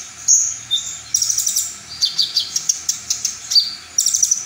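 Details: Brown-throated sunbird delivering its full song material, said to push other sunbirds into answering. A few sharp whistles open the clip, followed by a fast string of high chirps and rattling trills.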